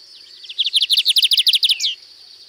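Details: At Sítio Paraitinga in Cunha, a lined seedeater delivers its differentiated song (canto diferenciado): fourteen or so quick, evenly spaced high notes in a fast chattering run, closed by a single longer falling slur, with a constant shrill insect drone behind.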